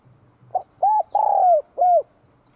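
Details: Single bell-voiced phrase from a spotted dove in Vietnam in spring 2023: a brief low note and then three rounded coos, the central one longest and sliding down at its end.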